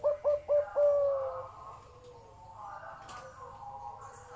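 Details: Deep-voiced zebra dove opens with three quick staccato coos followed by a long level note that fades out, then quieter distant dove calls over a faint background hum.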